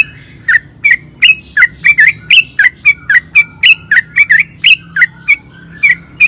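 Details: Sooty-headed bulbul singing vigorously as a lure: irregular sequence of short, loud chirps, some rising and some falling, spaced unevenly over several seconds above a faint low hum.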